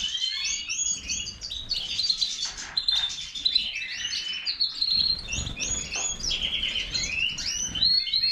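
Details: Goldfinch of the Major form in vigorous song, a busy mix of sharp tinkling notes, ringing whistles and rattling trills poured out without pause.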